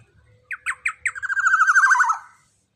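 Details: Young black-naped oriole, large and loud, voiced for training caged birds: three rasping opening notes, then a rapid, pulsing nasal trill lasting about a second and gently falling.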